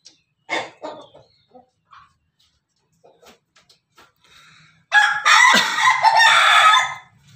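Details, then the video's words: Afternoon crowing from an Ayam Ketawa chicken: scattered soft clucks and small noises, then a loud, rich, strained crow about two seconds long, with a low background hum. "ayam ketawa hunting sore hari"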